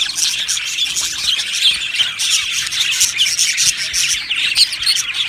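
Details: Budgerigars, a colony of Australian parrots kept in an aviary, singing and chirping together: a dense, continuous wash of high warbling chirps and squawks overlapping without pause.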